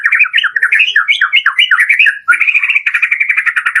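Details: White-rumped shama lure song in the full-variation 'door' style, meant to spur kept birds into singing: rapid, varied chain of whistled and chattering notes, with slurred rising and falling phrases, then a buzzy fast trill in the second half.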